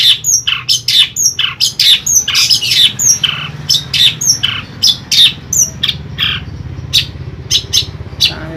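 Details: A kept Long-tailed Shrike in Ampelgading, Pemalang, Central Java, Indonesia, sings a scratchy, harsh series of chattering notes and brief high whistles, roughly one burst per second, over a faint low hum.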